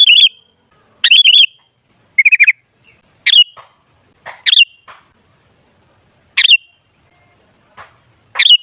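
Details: Lure song of a Sooty-headed bulbul meant to stir other bulbuls into noisy singing: repeated short bubbly warbles, one lower and stuttering, coming about once a second with faint ticks in between.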